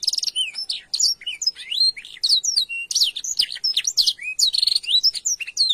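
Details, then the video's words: Canary singing a long, loud training song with sustained shooting phrases: rapid high whistles, swooping slurs and quick trills in clean bursts, nearly nonstop, with no other sounds. "Masteran Burung kenari isian |Suwara gacor nembak panjang"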